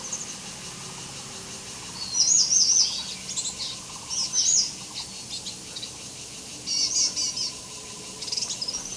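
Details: Green shrike-babbler song recorded 16 July 2015 at Touzhongxi in Yangmei, Taiwan: short, high, wavering warbled phrases given in separate bursts a few seconds apart, against a constant buzzing insect chorus.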